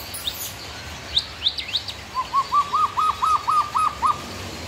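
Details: White-rumped shama song: a few high thin whistled notes, then a steady run of about eight rounded, arched mid-pitched notes delivered evenly and quickly over two seconds.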